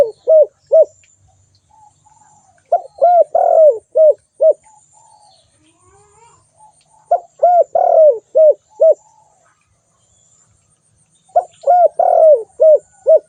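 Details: Repeated calling of a spotted dove. Three bursts of low, mellow coos, each a string of short, arched hoots around one longer, drawn-out, downslurred note. The bursts come several seconds apart.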